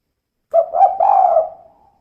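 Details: One cooing phrase from a female spotted dove in the "kuk 2" style: two quick, soft notes lead into a long, husky coo that fades away.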